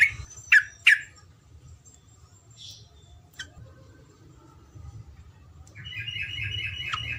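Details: Yellow-vented bulbul tutor recording with long rolling song phrases, used to train birds to sing. Two loud, sharp, sweeping notes open the clip, followed by scattered softer notes and then a rapid pulsing run of notes near the end, over a low hum.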